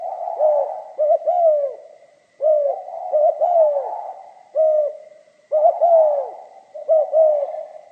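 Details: Pha kim style song of a spotted dove: repeated soft coo phrases, clipped double notes leading into a falling drawn coo, steady cadence, clean background.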